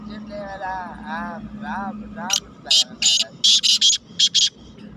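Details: Black francolin (Francolinus francolinus), recorded on 31 May 2023: a man talks over an engine hum, then the bird bursts into a loud, harsh, grating series of about eight rasping notes in quick succession.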